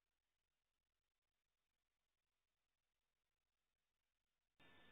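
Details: Near silence with a faint low hiss, ending in a sudden burst of loud noise.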